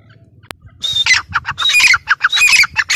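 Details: Grey francolin giving loud, harsh, rapidly repeated squawking notes after a sharp click, the phrases rising into strained shrill accents.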